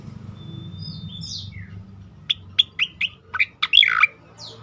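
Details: Asian pied starling (cucak koreng) in loud, continuous ngerol and nembak song: thin gliding whistles, then a rapid series of short, sharp, clipped notes ending in a harsh burst.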